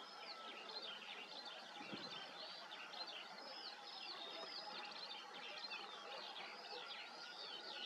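A Eurasian skylark pours out an unbroken, high stream of rapid chirps, trills and warbles that runs without pause, over a soft background hiss.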